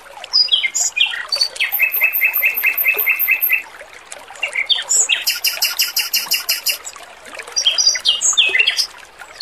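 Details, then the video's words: Male oriental magpie-robin song with trickling water, used as training material. Varied song with whistled runs, evenly repeated mid-pitched notes, a harsh high buzzing series, and scratchy rapid phrases over a steady water background. "MASTERAN BURUNG ROBIN JANTAN GACOR, SUARA MERDU DAN JERNIH"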